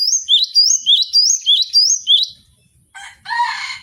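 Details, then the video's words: Training recording of a Cinereous tit: a rapid run of sharp two-note whistled phrases, evenly spaced, followed after a short gap by harsh, rasping scolding notes. "MASTERAN GELATIK BATU BONGKAR ISIAN"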